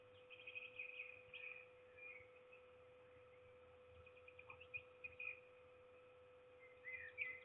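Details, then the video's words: Peregrine falcons at Trzebież, Poland, on 7 May 2021, one bird begging impatiently while its mate brings no food; harsh, grating calls come in short bursts early and late, with a steady electrical hum throughout. "Pinia się niecierpliwi a Forest nic nie przynosi"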